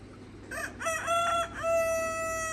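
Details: Free-range red rooster, one of a flock with hens on a farm, gives a full crow: a loud harmonic cry with broken, wavering opening notes, then a long, steady drawn-out final note fading slowly, over a low steady hum.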